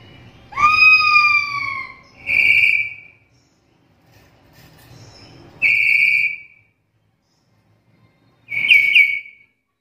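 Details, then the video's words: Black-capped lory giving a call said to be rare among other lories and suited as a tutor recording: a drawn-out, slightly falling whistle, then three loud, clear, high whistled notes about three seconds apart. "Suara panggilan burung nuri kepala hitam ini jarang dimiliki nuri lain"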